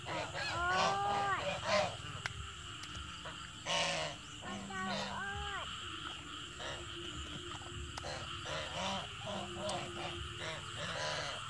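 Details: Evening geese honking: a quick run of arched, harmonic honks near the start, then scattered shorter calls and clicks over a faint steady hum.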